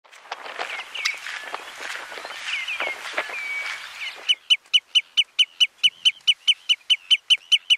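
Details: Common redshank of the subspecies robusta, recorded on Flatey, Iceland, in June 2019: a jumble of overlapping high calls and chirps gives way to a steady run of sharp, piping notes, about four per second.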